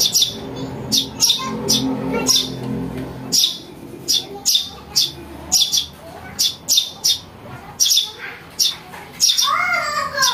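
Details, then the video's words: House sparrow chick lure call: rapid, shrill chirps repeated in uneven bursts, with a louder, lower rumble early on and a descending squeal near the close. "Suara anak burung greja untuk mikat"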